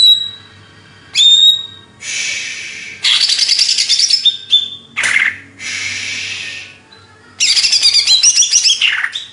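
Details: Greater green leafbird, Banyuwangi, Indonesia, singing in hyper form: high clear whistles and sharp chips opening, then long harsh buzzy stretches broken by rising whistled slurs, fast and energetic.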